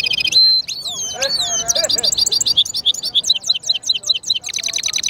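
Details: Goldfinch mule song made of whistled, slurred notes that rise and fall, breaking into fast twittering trills and rapid chirps, bright and high throughout.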